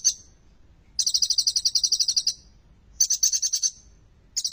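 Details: Kolibri ninja, the olive-backed sunbird, singing a song full of ciblek phrases to spur silent sunbirds into song: a brief note, then two extended high rapid trills separated by a pause, and the start of another.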